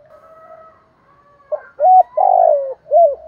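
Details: Cooing of a spotted dove: after a faint drawn-out tone, one low phrase follows of a short note, a level coo, a long burry falling coo and an ending coo.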